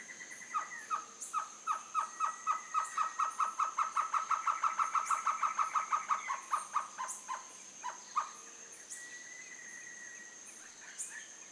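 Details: Baird's trogon at Casa Alta Vista calling: a long run of short, down-slurred hooting notes, about two dozen over six seconds, speeding up and swelling before trailing off, with a steady high insect whine throughout.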